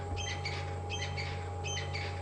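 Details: A covey of crested francolins yelling at each other right beside a safari vehicle on the afternoon/sunset drive of 25 August 2015: harsh, rattling bursts about every 0.7 seconds, several birds overlapping, over a steady engine hum.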